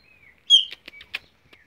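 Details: A captive Chopi blackbird (Gnorimopsar chopi) sings perched on its owner's hand in Mogi das Cruzes, São Paulo: a thin whistle, then a loud bright note and a quick run of harsh, clipped chirps spaced about a fifth of a second apart.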